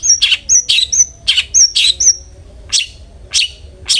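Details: Long-tailed shrike singing as a lure for other shrikes: sharp whistled notes with a buzzy rasping edge, repeated about every half second, then three rougher harsh calls spaced wider apart.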